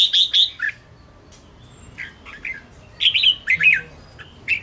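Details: Red-whiskered bulbul of the Ché type giving a fighting song meant to provoke rival birds: loud, clear whistled phrases with bright rising and falling notes in bursts, separated by short quiet pauses.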